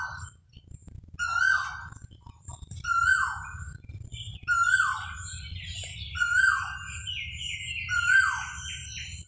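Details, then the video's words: Koel calling over and over, each note a loud whistled cry that starts high and slides down, given about every one and a half seconds, with a low rumble of background noise underneath. "koha bird sound"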